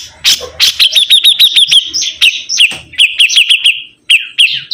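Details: Sibuntung bird chattering energetically: brisk, uneven strings of sharp, high notes in quick succession, with a brief higher whistled note among them.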